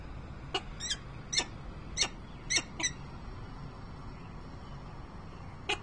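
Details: Peregrine falcon, Harrisburg, Pennsylvania, 28 November 2020, uttering five or six short grating notes at about half-second intervals, then silence and one last call, against a low murmur of background noise.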